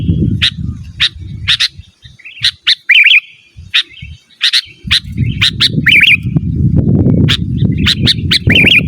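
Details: Sooty-headed bulbul calling a rival, used as a lure and a master recording: a long run of crisp chirps broken by short wavering warbles, with a loud low rumble coming and going.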